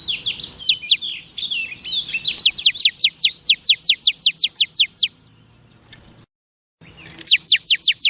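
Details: Female oriental magpie-robin singing to excite males: long, evenly spaced series of quick descending chirps, a brief silence, then the chirp series resumes.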